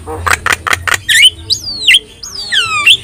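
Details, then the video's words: Yellow-eyed Javan myna singing persistently, used as a tutor for training other songbirds: four harsh, broadband squawks followed by loud, swooping whistles that slide down and then up. "JALAK KEBO GACOR MATA KUNING | Untuk Masteran Kicau Jalak"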